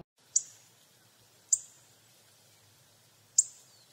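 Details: Hawfinch calling: three sharp, very high, explosive ticking notes, each clipped short with a thin fading tail, spaced irregularly about one to two seconds apart over quiet background.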